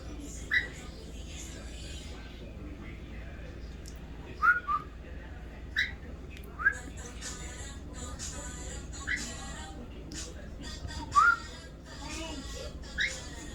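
A cockatiel gives short, clear whistled notes that rise and fall, spaced irregularly between quieter chatter.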